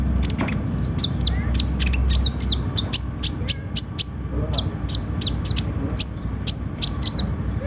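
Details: Sunbird song from a lure track for getting a kolibri ninja to sing: a busy stream of very high, thin ticking chirps, about two per second, with sharper accented notes and steady low background hum.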